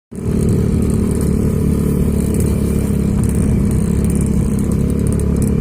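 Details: A motorcycle engine starts abruptly and keeps running loudly, covering everything else.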